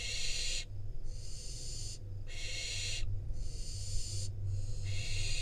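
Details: In Israel a wild barn owl fledgling receives a rodent from its parents; four long wheezy hissing screeches with short breaks between, over a persistent low hum.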